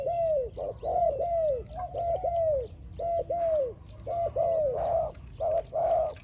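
A spotted dove coos in soft, arched, hollow notes strung in quick bursts of two to four, repeating steadily over a faint background hum.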